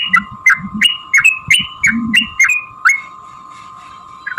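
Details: Yellow-vented bulbul fighting song, used to provoke other bulbuls to sing; about nine bubbly upslurred notes in under three seconds, then near silence with a steady background tone.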